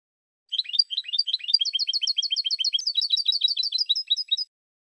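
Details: European goldfinch song, a fast run of bright twittering notes about seven per second, alternating higher and lower tinkling phrases for four seconds, clean background.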